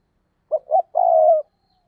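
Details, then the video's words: Decoy spotted dove cooing to lure other doves, a 2023 recording: two short hollow notes, then one longer rolling, throbbing coo, all low and mellow on a silent background. "Chim Cu Mồi, cu gay kich boi nhanh noi gù hiệu quả nhất 2023"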